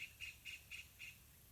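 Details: Yellow-vented bulbul family in a pineapple garden, parents feeding two hungry chicks; five brief, bright, high-pitched notes in quick succession, then a short pause, over soft background noise.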